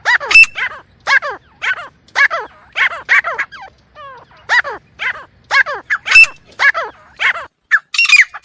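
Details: Partridge (teetar) call used as a hunting lure: loud harsh grating notes with stacked harmonics, repeated roughly twice a second in steady bursts, a clear sharp tone flashing within some notes.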